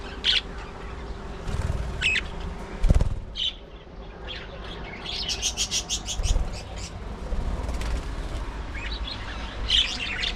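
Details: Scattered sharp chirps and a rapid ticking burst from budgerigars at early morning feeding time, separated by quieter gaps and a low background hum.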